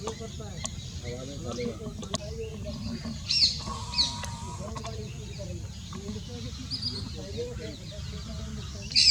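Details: Brown-headed barbet (Psilopogon zeylanicus) at Keoladeo National Park, Bharatpur, India, giving low, throaty, rolling notes in a steady repeated rhythm, with sharp calls from other birds and a low background hum.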